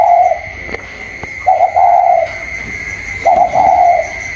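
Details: Spotted dove in the còi cooing style, inside bird versus wild bird outside, 27 October 2022: three clear wavering coo phrases about one and a half seconds apart over a steady thin whine.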